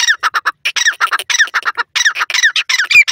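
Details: Francolin, locally called teetar: a loud, rapid run of harsh, squawky harmonic notes packed closely together in uneven bursts, with short gaps, through about three seconds, with no other sounds.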